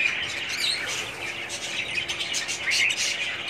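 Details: Several budgerigars in a breeding colony calling at once: bright, scratchy warbles and quick chirps layered into a steady chatter.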